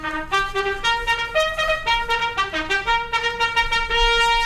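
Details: A brass melody plays clear sustained notes that step up and down in short phrases.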